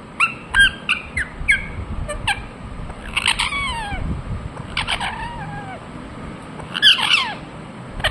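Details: Indian ringneck parakeet starting with short clipped chirps in quick succession, then longer drawn-out downslurred squawks, ending with a louder harsh burst; faint low background noise throughout.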